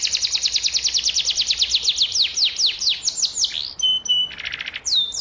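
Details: A young canary in moult delivers tutor song for training contest birds: a quick run of descending slurred notes slows down, followed by a short buzzy rasp and high whistled notes.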